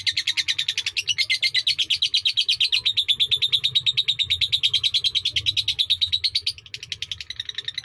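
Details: Indonesian lovebird giving a sakera song of long duration: nearly eight seconds of fast, high, scratchy chirping in a nonstop trill, pitch wavering slightly, with a brief break near the end.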